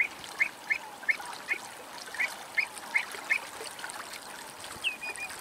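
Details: Grey wagtail (Motacilla cinerea) in Greece giving a run of short, sharp chirps about three per second, then a slightly longer slurred note, over a steady rushing background hiss.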